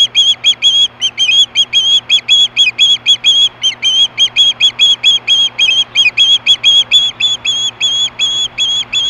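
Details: Osprey at Hellgate, 2014, screaming for fish in the afternoon at 4:19 PM: a long run of shrill, piercing whistled notes, each with an upward hooked start, repeated rapidly and almost without pause, over a steady low hum.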